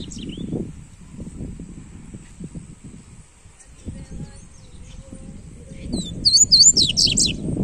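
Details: Warm-up song of a double-collared seedeater, or coleiro: after a stretch of low rumbling and faint chips, a loud, fast run of high, clipped, rising twitters bursts out near the end.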